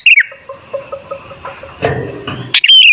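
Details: Sooty-headed bulbul singing as a lure for other bulbuls: a brief whistle at the start, soft background chirps and a rustle, then one loud liquid phrase rising and falling near the end.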